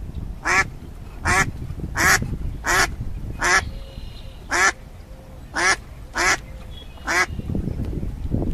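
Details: Swimming ducks with ducklings on a pond, quacking in a loud, raspy series of about ten calls at uneven intervals, each a short, buzzy burst, with a faint whistle-like tone in between.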